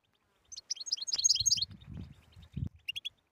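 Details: A single tabtaba phrase from a European goldfinch, played to rouse silent goldfinches: a fast stream of bright chirped notes, then a soft low rumble and a brief high tinkle at the end.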